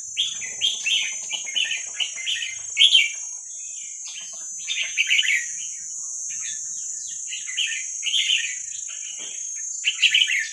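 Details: Song of a wild Vietnamese red-whiskered bulbul meant for teaching young birds: clusters of rapid, liquid chirping phrases separated by short pauses, a persistent high electronic tone running throughout.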